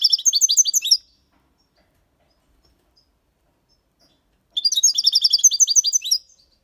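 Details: European goldfinch, six months old, giving clean copia Malaga song meant to stimulate young goldfinches and mules: two bright rapid bursts of tinkling, metallic twitters separated by several seconds of silence.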